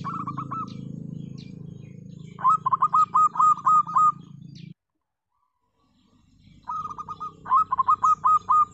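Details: Zebra dove of the local perkutut type: low droning hum first, then a quick series of clipped, bubbling coos, a brief silent gap, and another rapid phrase of repeated notes.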